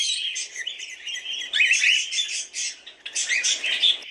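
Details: Noisy cockatiel twittering with squeaky whistled notes and rough chirps, arriving in loud bursts separated by brief dips in volume.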